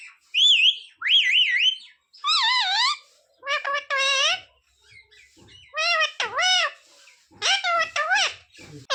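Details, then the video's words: Parrot speaking "sita-ram", "jay shree ram" and "mummy papa": wavering, high-pitched word sounds, two whistled warbles, then several rising and falling speech-like phrases in close succession. "Parrot talking sita-ram🚩parrot talking jay shree ram"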